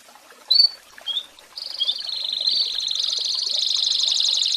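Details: American Singer canary singing as a tutor for young birds: two short chirps, then a long, steady, fast trill that grows slightly louder.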